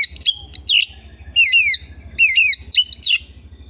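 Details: Oriental magpie-robin kept at home pouring out a lively run of swooping, slurred whistles rising and falling rapidly, nearly continuous phrases over a faint low hum.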